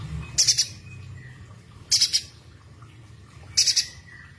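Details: Loud, sharp spiderhunter (pijantung gunung) calls, kept for tutoring songbirds: three piercing, very high bursts, each a quick cluster of three notes, repeated about every one and a half seconds. A low background rumble runs throughout.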